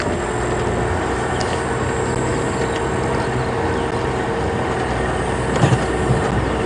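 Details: Loud, steady engine drone from a safari vehicle at sunrise, with no animal calls.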